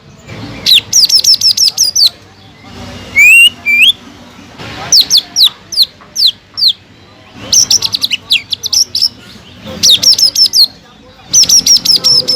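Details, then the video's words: Caged greater green leafbird delivering a long, vigorous song of repeated high chipping bursts mixed with a few rising whistles, phrases broken by brief gaps. "PANCINGAN CUCAK IJO GACOR EFEKTIF MENAIKAN EMOSI CUCAK IJO MACET BUNYI"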